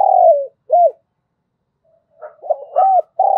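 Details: Morning lure call of a caged decoy spotted dove, thổ voice style, meant to attract wild doves. Two mellow, descending coos, a brief pause, then a rolling series of soft coos ending in a drawn-out note.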